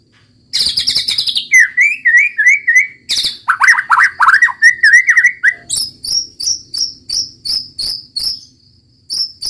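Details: White-rumped shama in full 'gacor' song: rattling bursts and swooping whistled runs, then a steady series of high sharp chip-whistles repeated roughly every half second.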